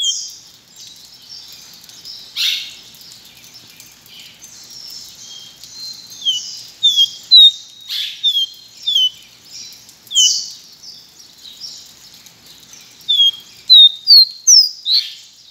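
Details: Long song bout from a pileated finch (Sporophila pileata, caboclinho branco). Bright descending whistles, some doubled, come in irregular bursts, speeding into a fast run of five notes near the end, with soft chatter and hiss behind.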